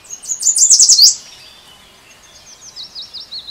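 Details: Yellow warbler at a nest of newly hatched chicks in an old lilac bush; a loud, high, rapid run of sweet whistled notes lasting about a second, then a fainter, slower series of repeated high notes.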